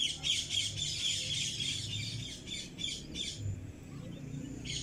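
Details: Pet cockatiel squawking in a fast series of harsh, high chirps for about three seconds, a short pause, then one more shrill note at the end.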